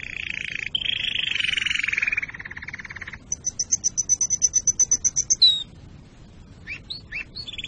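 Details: Canary song for breeding preparation and chick tutoring: a long buzzy rolling tour, then a rapid high pulsed trill of about a dozen notes ending in a slur, then a few separate chirps.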